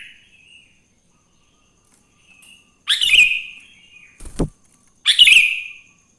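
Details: Sooty-headed bulbul singing in the morning to spur other bulbuls to sing: a faint opening note, then two loud, liquid whistled phrases roughly two seconds apart, with a sharp knock in between.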